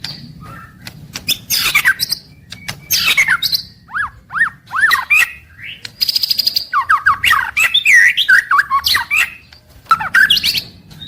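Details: Daily singing of a white-rumped shama: sharp ticking notes, a run of three arched whistles, then tumbling liquid warbles mixed with bright high chips.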